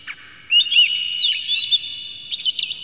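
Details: Oriental magpie-robin, agitated and spreading its tail, gives a long clear whistled phrase with gliding and looping notes, ending in a rapid burst of high chirps; meant to provoke other magpie-robins to sing.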